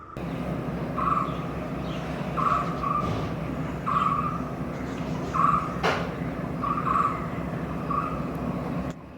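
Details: A White-cheeked barbet near homes in Kerala, India, calling to attract a mate and announce its presence, gives six low, throaty, two-part notes, about one every one and a half seconds, over steady traffic rumble and a single sharp knock.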